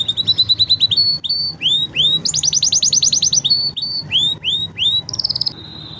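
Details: Five canaries in a training song: bright tours of curved, rising-then-falling whistled notes, a quick rattling trill, several pauses between phrases, and a steady held whistle at the close.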